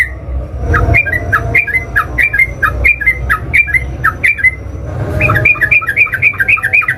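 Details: Sooty-headed bulbul in emotional fighting song provoking any bulbul to answer: one brief note, then a steady stream of quick chirping two-part notes, quickening near the end into a denser burst of chatter.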